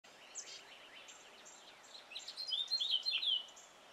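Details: Male house finch singing in a yard, with faint background bird chatter, then a loud, fast, warbled phrase of high sliding notes near the end.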